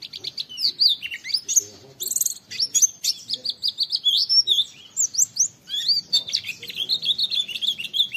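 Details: Oriental white-eye in a training recording of rapid 'wit wit' calls meant to provoke other white-eyes into singing. A dense, high twittering of quick chirps and sharply slurred whistles, almost unbroken and with slight variation throughout.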